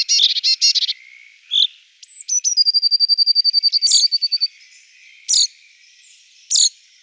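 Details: Eurasian blue tit: a quick buzzy rattle, then a thin high whistle running into a rapid even trill, followed by several isolated sharp high notes spaced about a second apart.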